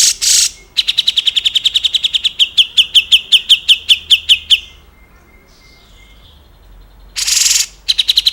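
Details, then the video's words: Grey-cheeked bulbul (cucak jenggot) song used to teach other cage songbirds: a long rapid string of about twenty clear, ringing repeated notes lasting nearly four seconds, with brief bursts of rushing noise before and after. "MASTERAN / GURU VOKAL SUARA BURUNG CUCAK JENGGOT"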